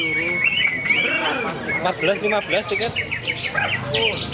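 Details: At a songbird contest, a caged Greater green leafbird pours out a fast, varied stream of sharp chirps, slurred whistles and squeaky warbles, with music, applause, human voices and other birds in the background.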